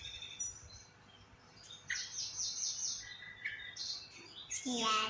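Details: A sooty-headed bulbul being fed gives quiet, high chirps and short rising whistled notes in scattered bursts, with a person's voice near the end.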